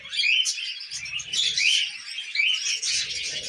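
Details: Tamed budgies munching millet give lively chatter of sharp squeaks and warbling whistles in loose bursts, with soft low rustling underneath.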